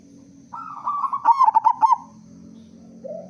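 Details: Local zebra dove, loud voice, singing to draw other doves into song. A smooth hum leads into a fast run of four or five throbbing coos, then a softer low note follows.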